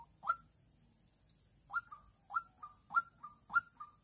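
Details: Decoy white-breasted waterhen, a young bird used in trapping in Vĩnh Long on 16 March 2022, calling at an aggressive lone wild female. One sharp note is followed by a pause, then a quicker series of five clipped notes, each with a trailing lower tail.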